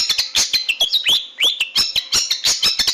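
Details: Long-tailed shrike singing, recorded for training caged birds: rapid, varied chattering of scratchy notes mixed with sliding whistled slurs, continuous and loud throughout.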